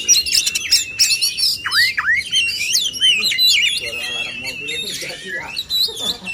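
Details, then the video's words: Male oriental magpie-robins matched in song to build up singing and mimicry; loud run of rich whistled notes with steep downward swoops, then softer, lower twittering with a faint lower murmur in the last seconds. "adu kicauan burung kacer jantan"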